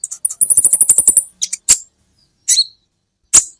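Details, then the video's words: Kolibri ninja sunbird tutor recording: a rapid, very high buzzy trill of about a dozen notes, followed by a few isolated sharp chips and a short two-note twitter after pauses. "Masteran buat KOLIBRI Ninja Bahan Agar BUNYI"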